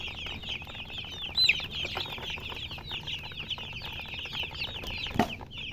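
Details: Chickens peep in a constant high chorus, with one clearer downward-sliding chirp standing out early and a sharp knock near the end.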